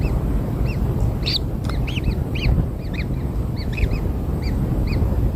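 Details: Newborn kingfisher chicks being fed black insects give short arched chirps at irregular intervals, some paired, over a steady low rumbling background noise.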